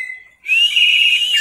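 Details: One long, steady whistled note from a caged Orange-headed thrush in teler style, held over a second with a slight waver, after a faint lead-in tone.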